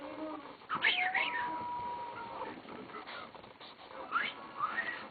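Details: Pet cockatiel that loves to sing and whistle gives bright sweeping whistled notes and a long steady tone, with a person talking to it nearby.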